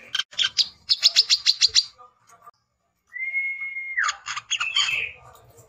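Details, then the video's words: Rival-challenging song of a male brown-throated sunbird, a lure sound: quick bursts of high chirps, a gap, a steady drawn-out whistle, then more rapid chirping. "SUARA BURUNG WICEH JANTAN _KOLIBRI KELAPA GACOR"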